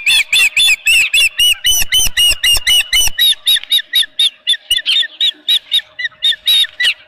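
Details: Osprey at a ranch nest during a fish delivery, 23 April 2018, 9:38 am: a rapid, loud series of sharp whistled chirps, about four per second, steady at first, then slightly looser and softer toward the end.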